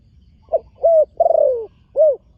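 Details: Young spotted dove being trained, on the competition ground for the first time, giving a clean phrase of four low coos: a short note, a steady one, a longer falling one, then a final arched coo.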